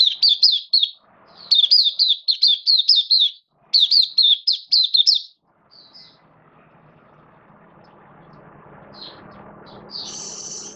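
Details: Caged oriental white-eye in the bird hobby, 11 September 2022, form dipped slightly, singing buka (opening) style: three clipped bursts of fast, high repeated chirps with short pauses, then a quiet stretch with faint background hum and a few thin notes.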